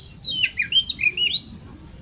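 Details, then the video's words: Short burst of Oriental magpie-robin lure song for competition birds: a run of bright whistled slurs, some rising and some falling, over a low background hum. "Pancingan Untuk Kacer Lomba Agar Cepat ON Dan Gacor Konslet Di Gantangan"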